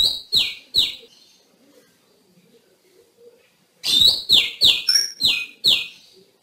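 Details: A wild female Oriental magpie-robin, recorded in forest, gives harsh, downward-slurred notes: three quick ones, a pause, then a rapid run of about six. The call is used to lure males into singing.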